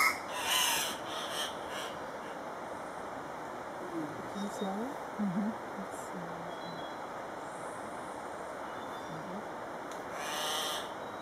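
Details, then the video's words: Andean cock-of-the-rock lek at Paz de las Aves, Ecuador: males give low, nasal squawks and grunts in short irregular bursts, faint under a steady hiss with a couple of brief louder noises. "Andean Cock-of-the-Rock lek"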